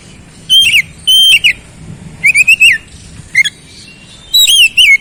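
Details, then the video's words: Oriental magpie-robin (kacer) song of about five bright whistled bursts. Some are steady notes that drop at the end. Others are rapid rising-and-falling trills, separated by short silences. "KICAUAN KEMBALIKAN KACER MACET BUNYI CEPAT GACOR"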